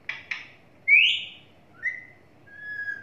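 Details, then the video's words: Pet talking parrot indoors giving two short harsh notes, then a loud rising whistle and two shorter level whistles. "Talking parrot"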